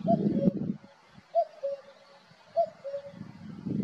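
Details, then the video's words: Singing male common cuckoo at Valdeolea gives loud falling two-note 'cu-coo' phrases, three in quick succession, with low rumbling noise at the start and end. "Cuco macho cantando. Valdeolea"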